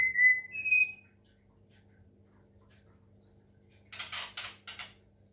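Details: Medan white-rumped shama, kept on water-sound therapy to sing: two clear whistled notes, the second higher, followed after a pause by a few rough, rattling chatter bursts.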